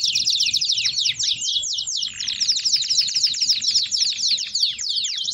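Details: Canary sings a loud baderna-style song made of fast repeated down-slurred chips and rattling trills, a steady rhythm of about four notes per second carried on without a pause.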